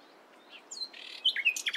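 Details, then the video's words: Morning nightingale song fragment: scattered short whistles and a buzzy stretch, then loud, sharp chirping notes at the end. "Nightingale Singing In The Morning"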